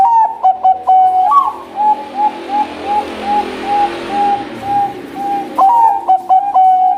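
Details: Zebra dove of the Bangkok type, singing actively: a stuttered phrase, then a steady series of short soft coos about every 0.4 seconds over background hiss, ending with another rapid stuttered phrase.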